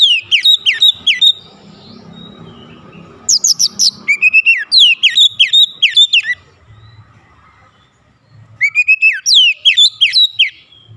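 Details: White-rumped shama singing as a lure to stir other shamas into song: rapid strings of high whistled, sweeping notes in three bursts, with faint low rumbling between phrases.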